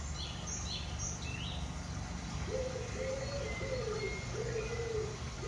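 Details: Sandhill crane in Land O'Lakes, Florida, giving a series of low, rolling trumpeted notes, about one every second. High chirps from small birds come early, over a steady low rumble.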